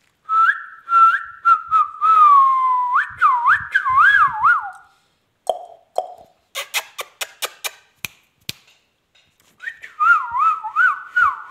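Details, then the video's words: Indian ringneck parrot, kept as a talking pet, giving clear mid-pitched whistles: flat held notes, then a run of rapid wavering up-and-down whistles. Sharp clicks and taps follow, and the whistling resumes near the end. "Indian ringneck |parrot |amazing r|ingneck"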